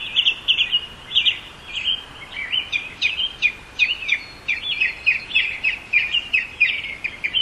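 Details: Northern mockingbird singing a continuous varied string of quick chirped and warbled phrases, mid-high in pitch, with short repeated motifs and little pause between them.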